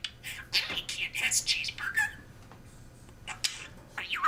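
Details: Pet budgerigar (Melopsittacus undulatus), a male that has memorized over 130 phrases, chatters in high, raspy, whispery bursts of human-speech mimicry; talking is a game for him, a way to express wild behaviour at home.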